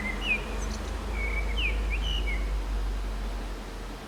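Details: Common blackbird singing on an antenna in the town centre of San Martín, Zamudio, Txorierri, Bizkaia, on 23 April 2019: clear fluted, gliding whistled phrases in a short run, over a steady low hum.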